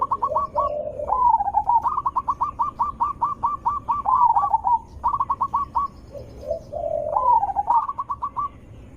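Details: Zebra dove voice used as a lure for replies from other zebra doves: nearly continuous run of rapid, evenly pulsed coos, broken by lower purring phrases and rolling trills.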